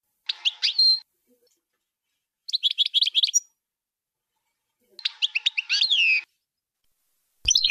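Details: European goldfinch singing Bayanam Ghazarat song for teaching young birds: three separate twittering phrases of quick high notes, one ending in a falling slurred whistle, with short silences between.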